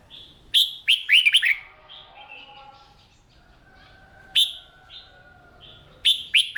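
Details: Red-whiskered bulbul in morning singing practice, a Vietnamese hobby bird trained for song contests; sharp clusters of swooping, slurred whistles, a pause of soft warbling and thin steady tones, then more loud single and paired notes.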